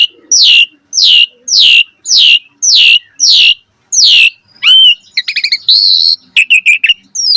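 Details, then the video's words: Asian pied starling, a training recording for getting birds to sing: six loud harsh descending squawks at a steady pace, then a jumble of sharp clicks, buzzy notes and short whistles. "Pancingan Jalak Suren Gacor Cepat MOMPA Full Variasi - Masteran Burung Jalak Agar Gacor Isian Mewah"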